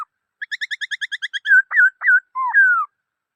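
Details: Black-throated laughingthrush: a fast run of about twelve short clipped notes leading into several looping whistles and a long falling whistle.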